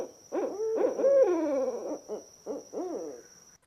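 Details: Two barred owls, a male and a female, hoot over each other, the male giving the higher, wavering notes and the female the lower hoo-hoo calls, with a thin steady whine throughout.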